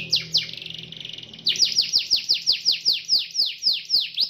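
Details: Canary singing to call a rival into song: a short buzzy trill, then a quick series of high, downward-sweeping notes repeated about three times a second.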